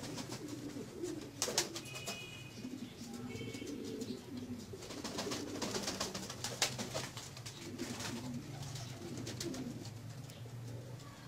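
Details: A Pomeranian pouter pigeon, tiger-marked, gives low, droning, rolling coos almost throughout, with scattered sharp clicks and rustles in a small indoor space.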